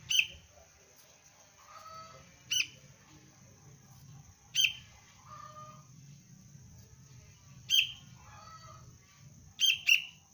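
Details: Young sooty-headed bulbul calling for its parent: sharp, high chirps about every two seconds, with softer lower notes between and a steady high electrical whine behind.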